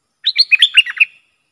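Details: Bulbul fired up against rival wild birds, used as a lure singer: a short burst of about seven bubbly, warbled notes with quick rising and falling whistles, lasting about a second, clean with no background noise.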